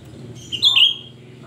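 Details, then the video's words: A single loud, shrill note from a singing cucak rante, a lure recording for other cucak rante, rising sharply then wavering and dropping, with low hum underneath. "Cucak Rante gacor ‼️Suara melengking Cocok untuk Pancingan cucak Rante bahan"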